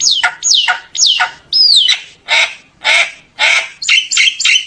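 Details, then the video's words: Common myna singing to gather its flock: loud downslurred squawking whistles about once a second, one clear arched whistle, then broad harsh rasping notes and quick chirps. "tiếng chim sáo nâu hót gọi bầy"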